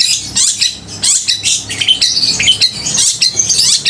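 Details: Vigorous, loud Long-tailed shrike song for provoking emotion and mating urge in rival shrikes; fast jumble of high harsh chirps, rasps and slurred whistles with almost no gaps.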